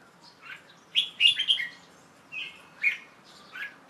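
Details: Red-whiskered Bulbul, a young male kept bird, singing in late afternoon on 1 January 2012 after a bath: a quick tumbling burst of chirps followed by single clear whistled notes spaced about half a second apart.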